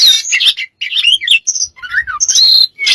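A bird runs through a rapid jumble of varied chirps, whistles and squeaky notes, some sliding up or down, in quick bursts with short pauses.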